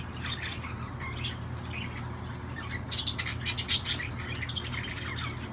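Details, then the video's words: Budgerigar warbling: soft scattered chirps at first, then a brief, louder cluster of sharp squeaks in the middle before the chatter eases off again, with a low hum behind. "تغريد طيور الحب"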